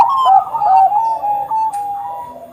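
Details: Bangkok zebra dove singing: a short, smooth run of mellow, slightly descending coos blending into one another, with a faint high chirp near the end.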